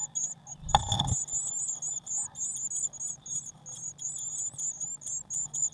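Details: Eurasian blue tits in their nest box on 19 May 2019 after the feeder was filled with waxworms; a loud scrape opens, then continuous high, thin squeaking pulses quickly.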